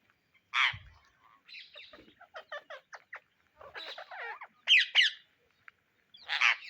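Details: Indian ringneck parrots searching for seeds give harsh squawks and a run of short stacked chattering notes, with gaps between bursts and a loud raspy screech at the end.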